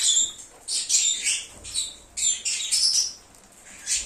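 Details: Several lovebirds giving a lure call meant to draw an escaped bird home; harsh high squeaky chirps in short clustered bursts with brief pauses between.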